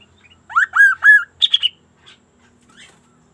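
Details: Sunda laughingthrush (kaso-kaso) giving lively, unusual song: three sliding, arched whistles followed by a quick, higher, buzzier triple chatter and a few soft trailing notes.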